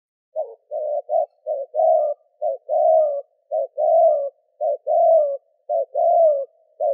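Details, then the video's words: Spotted dove cooing to lure a wild bird: low soft coos in short and long notes, alternating in a repeated pattern of about one phrase per second, in a quiet setting. "Cu gáy gù - thúc - gáy gọi kích bổi nhanh nổi"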